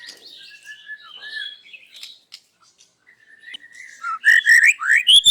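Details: White-rumped shama singing loudly in the morning, showing off its repertoire: thin whistled phrases near 2 to 4k, a short pause, then a loud burst of sweeping, rich notes at the end.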